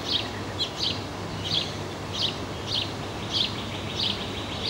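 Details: Black-capped chickadee (Poecile atricapillus) chicks about four days old, hatched 15 May, give high, hissy begging notes about every half second over a steady low hum as busy parents bring food to the nest, 19 May 2015.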